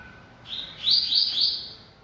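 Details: Brief high phrase from a Bahia seedeater (coleiro baiano) singing a lot: a rising note followed by three quick, bright whistled notes in a row.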